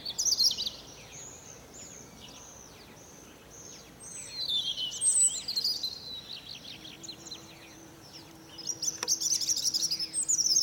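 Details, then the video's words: Morning song of a European robin perched on a fir tree: a long run of varied, high, thin phrases mixing trills, quick slurred whistles and sparkling notes, with quieter gaps and a low steady hum partway through. "Niesamowity śpiew rudzika."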